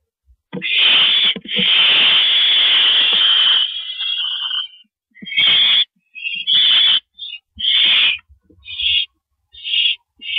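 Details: Barn owls at the nest during a nighttime rabbit delivery on April 7, 2012. A long, rasping screech lasts about three seconds. Choppy, breathy hissing bursts follow in quick, uneven succession.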